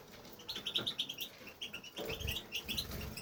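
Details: Caged male European goldfinch singing in a home aviary: rapid twittering run of short high notes and trills, tinkling in quick succession with brief pauses, faint rustling and low room noise underneath.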